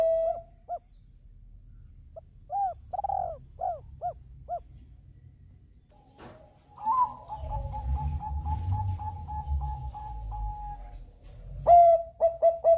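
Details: Bangkok-type zebra dove in song meant to set other birds singing: scattered arched coos, then a second, higher bird trilling a long even series of quick notes, ending in a burst of ringing coos.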